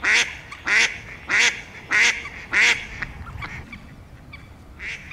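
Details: Female tufted duck (Kuifeend) in South Holland, a diving duck seen in winter and spring on canals, lakes or rivers; five loud, harsh, nasal calls repeated about every 0.6 seconds, then fainter calls, over quiet background noise.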